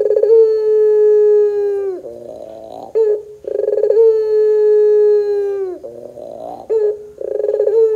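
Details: Lure recording of a puter pelung dove meant to make doves sing: two cycles of a drawn-out steady coo falling at the close, a rough lower rolling phrase and brisk stuttered pulses.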